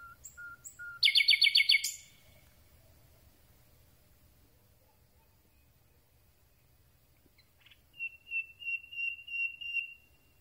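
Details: Close recording of a Common Nightingale singing at night: three soft pure whistles, an explosive rapid rattle, a long silent pause, then a slower series of clear repeated notes.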